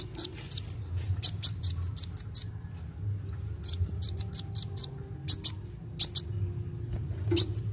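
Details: Actively singing kolibri wulung sunbird, played to encourage young birds to sing: bursts of rapid, piercing high chips and twittery notes separated by brief pauses, with faint thin squeaks between phrases.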